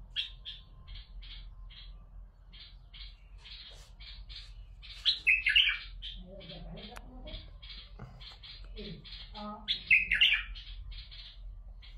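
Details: Bulbul singing to stimulate other bulbuls: steady rows of short ticking chips punctuated by two loud warbled bursts, with soft background thumps.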